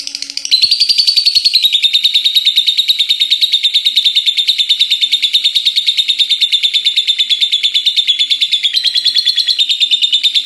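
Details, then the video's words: Pet lovebird giving its ngekek chatter, said to continue nonstop until morning: a long unbroken, buzzy high trill of rapid pulses, about three per second, with slight pitch rises near the start and end. "Love bird ngekek gak berhenti henti ampe pagi"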